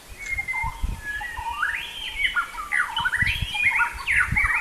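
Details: White-rumped shama from Sumatra in full, vigorous song: rich whistled phrases sweeping up and down, quick chattering trills and slurred notes packed densely throughout, with soft low thumps beneath.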